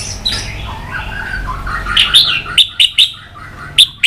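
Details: White-rumped shama (chòe lửa) in fighting song while flicking its tail: a muffled, blurred stretch of warbling gives way to sharp, loud, clipped high notes with snapping clicks, repeated in quick bursts near the end.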